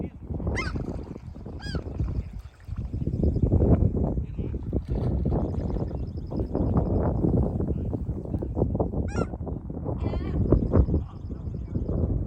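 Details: Seagull cries come in brief bursts, near the start and again later, above a heavy, continuous low roar of wind or surf that dominates the recording.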